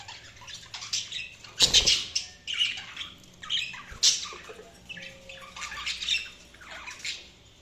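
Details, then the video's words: Budgerigars giving uneven, scratchy squawks and chirps in separate bursts, with one loud harsh note near the two-second mark and softer twittering between bursts. "Budgies Chirping sound"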